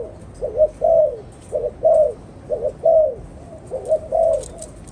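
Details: Spotted dove from a bird keeper's collection giving repeated gentle cooing phrases, a short double note followed by a longer drawn-out coo that sags in pitch, the pattern recurring about once a second.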